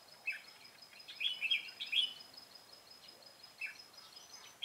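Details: Red-whiskered bulbul decoy at a trap, singing a fighting song: a run of quick, chirpy warbled notes mid-clip with scattered short phrases before and after, a faint thin steady tone and background hiss throughout.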